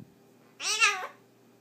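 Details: Pet blue-crowned conure talking on demand when prompted by its owner indoors: one voice-like, harmonic utterance of about half a second that rises and then falls. The owner's quiet speech comes just before it.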